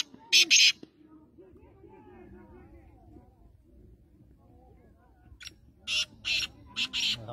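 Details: Black francolin giving loud, scratchy, high-pitched call bursts. A double burst comes near the start, then a rapid series of four or five bursts near the end, with quiet talking in between.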